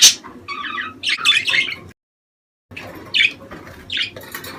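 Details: Budgerigars calling in a recording intended to prompt mating: harsh squawks and a buzzy chattering phrase, broken by a brief stretch of silence before more scratchy chirps resume.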